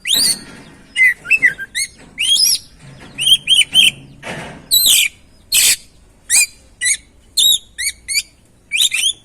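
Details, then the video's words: Oriental magpie-robin (kacer) song, used to stimulate other birds to sing. Loud varied whistled phrases, rising and falling notes with harsh buzzy bursts, delivered in short repeated sections with brief pauses. "Pancingan Burung Kacer Atasi Macet Dan Stres Kurang Gacor"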